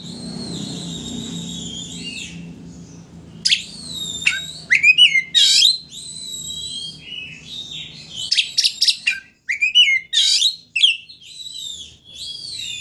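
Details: Oriental magpie-robin in full song, used to rile a rival into spreading its tail. Sweeping high whistles open the phrase, then come bursts of harsh, rapid chirps and squeaky slurred notes, broken by brief pauses.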